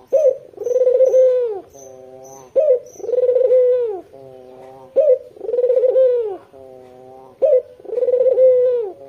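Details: White red-eyed Barbary dove, vocal and used as a lure for local doves, giving loud husky coos about every 2.4 seconds. Each opens with a sharp rising note, then a long, even, wavering coo, separated by softer, steady humming tones.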